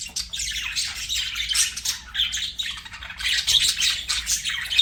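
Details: Budgerigar warbling in a soft, scratchy, continuous chatter of buzzy high notes and occasional sharper chirps.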